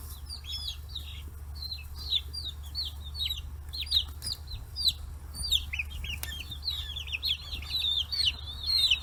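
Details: Forty-day-old free-range chicks crowding around fish heads in Kitanohiroshima, Hiroshima, Japan; many overlapping high peeping chirps, rising and falling, in a dense continuous chorus with scattered pecking knocks and a steady low hum.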